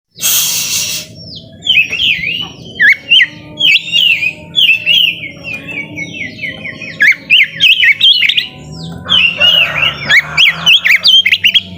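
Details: White-rumped shama song to provoke lazy shamas into singing: rich whistled phrases with rapid downslurred and looping notes, sharp clicks and varied fragments in quick succession, some harsher buzzy bursts near the start and end.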